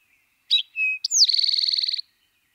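Eastern Towhee song: two short, clear introductory notes, then a fast, buzzy trill lasting about three-quarters of a second, the classic 'drink-your-tea'.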